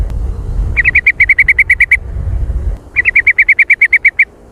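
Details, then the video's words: Sooty-headed bulbul giving its trucukan song: two bursts of about a dozen fast, evenly spaced clipped notes at mid pitch, each burst lasting over a second, over a low rumbling background. "Suara trucukan jontrot"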